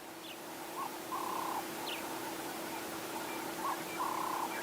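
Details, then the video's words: Doves coo at sunrise in Sabi Sand bush beside Kruger National Park on 11 April 2016, before the sun is up. The soft, hollow coos come in short repeated phrases, with faint high chirps from other birds and a steady low hum. "You're hearing the doves, obviously."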